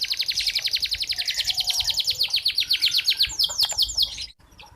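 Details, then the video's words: Local red canary singing as a model for young birds: a long, even rapid trill of high sweeping notes that slows into broader swoops before stopping abruptly. "Kicauan Burung Kenari MerLok || Kenari Merah Lokal"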